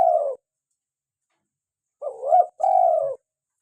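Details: Lively local tekukur, the spotted dove, cooing to lure wild doves and stir caged ones into calling: a soft falling coo, a pause, then a rising double note followed by a long level coo.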